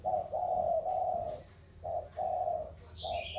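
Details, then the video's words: Spotted dove giving a 'thổ' coo, from a duel of Sóc Trăng delta and Cam Ranh mountain birds; two long low coos broken by a pause, then a short note as a high chirp sounds. "Cu gáy Thổ đấu thăng thiên"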